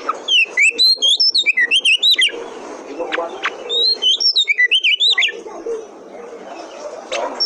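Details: Kacer, or Oriental magpie-robin, singing as a lure to spur other kacer into song. This territorial bird sings at intruders. Here it gives a dense run of bright, twisting whistled phrases, a quieter gap with scattered notes, then another fast rich burst.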